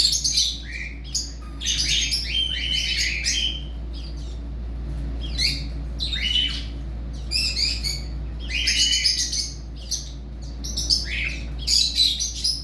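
Budgerigars chatter with quick, scratchy warbles and sharp chirps in irregular bursts.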